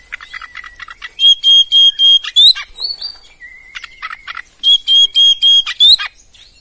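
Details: Oriental magpie-robin, a competition champion, giving clear sustained whistles and short sliding notes, with a loud pulsed burst of strong notes about five per second, then quieter warbling and another strong burst.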